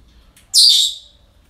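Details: A breeding-centre parrot lets out one piercing, raspy squawk of about half a second after a faint soft note, then quiet.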